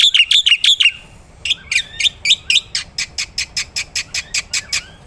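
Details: Loud black-winged myna song for tutoring other songbirds, opening with quick ringing whistled notes, then mixed squeaky phrases giving way to a regular series of sharp clicking chirps.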